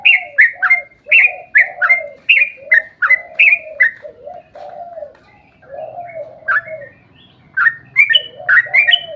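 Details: Sooty-headed bulbul singing as a lure to set other bulbuls singing: a rapid run of bubbly two-part phrases, a brief pause with a soft low hum, then more chattering phrases climbing slightly higher.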